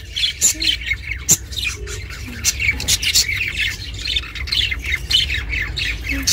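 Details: Chattering budgerigar, a pet recorded for lonely budgies, gives dense raspy chirps and squawks in a continuous stream, with a few brief low tonal sounds beneath.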